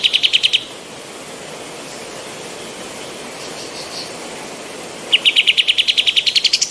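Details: Female white-eared bulbul in full voice, recorded as tutor material for training other songbirds: a short burst of rapid, even chattering notes, then a long stretch of steady background hiss, then a second, longer rattling run.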